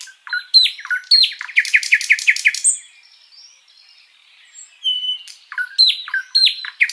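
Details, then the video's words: Sikatan londo flycatcher giving a long, lively master song to teach other kept birds: sharp varied chirps and a quick series of repeated notes, a quiet pause, then more slurred chirps and a level whistle. "Masteran Burung sikatan Londo gacor panjang"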